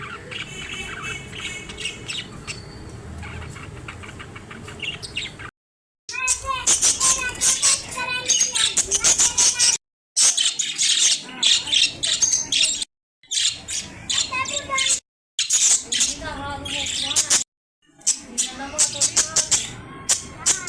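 Budgerigars chatter in a fast, high warble of chirps, clicks and squeaky notes.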